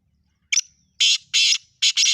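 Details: Harsh black francolin call, meant to prompt a pet francolin that is not calling: a short opening chip, then four loud rasping notes, the last two closely paired, over a faint low rumble.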